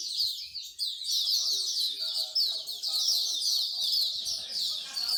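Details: Chorus of songbirds at a Singapore bird singing corner: shrill, fast, overlapping chirps and warbled runs fill the air continuously, and a low murmur of people talking sits beneath.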